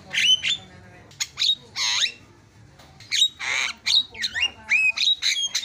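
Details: Javan myna singing training-recording fill-in phrases. Bright whistled notes, some rising and some falling, mix with loud rasping bursts and short harsh squawks in irregular clusters.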